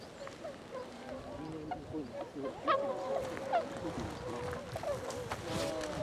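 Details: Tundra swans recorded on 26 February 2012, several birds giving a steady chorus of overlapping nasal, honking calls with no pause, sharper yelping notes standing out near the third and sixth seconds.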